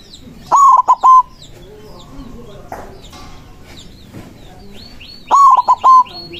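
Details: White zebra dove singing loudly to draw rival doves to answer. Two separate three-note whistled phrases a few seconds apart, each a long tone then short notes, with small birds chirping softly and high in between.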